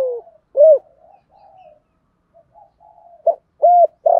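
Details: Spotted dove decoy cooing to attract wild doves: a low descending note and an arched hoot, faint low warbling during the gap, then a clipped note, another hoot and a sustained coo.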